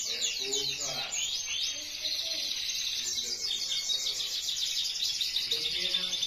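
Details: Canary singing as a master for other canaries; busy continuous high warble of fast downslurred notes and trills over steady background noise.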